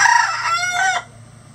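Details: Rooster crowing on a farm keeping about twenty roosters of standard and bantam breeds; the tail of a crow, a harsh harmonic-rich call that holds briefly, then fades abruptly after one second to a low steady hum.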